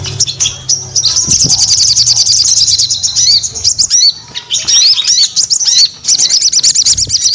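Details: Lively, vigorous sogon song: a dense, continuous run of high, rapid chirps and twittering notes with quick rising and falling slurred whistles. It runs almost without pause, briefly dropping out near the fourth and sixth seconds, with faint low rumble beneath.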